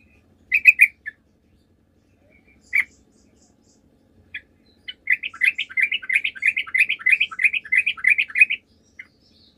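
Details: Sooty-headed bulbul in lively song, played as a lure to make other bulbuls answer. Short bright chattering notes come at first, then a fast run of rippling, warbled notes lasting about three and a half seconds, all in a quiet background.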